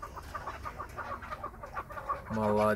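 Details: Krasnoyarsk pet chukar partridge, encouraged by its owner, gives quick repeated chuk clucks, uneven in spacing, ending as a man's voice breaks in urging it on.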